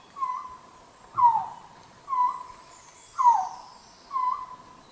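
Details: Resplendent quetzal of the cloud forest giving a steady series of five clear, slurred whistles, each sliding down in pitch, about one per second, over faint background forest noise.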